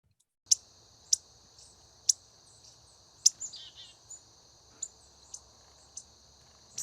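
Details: Young Indigo Bunting fledgling giving short, sharp "zeet" notes, about seven in seven seconds at an uneven pace, softer than the harsher adult call notes. A chickadee's harsh clicking and a steady high insect buzz are also heard.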